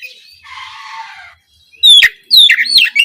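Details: Oriental magpie-robin, used as a morning lure for young speckled birds: a soft rasping noise, then about a second of loud, sharp whistled and chirped notes.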